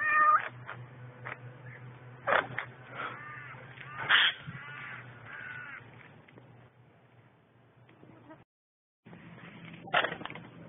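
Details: Agitated Eurasian jays near four fledglings, meowing like cats to chase a pet rook from the chicks during a river walk; repeated harsh mews and wavering cat-like calls, some loud bursts, low hum between.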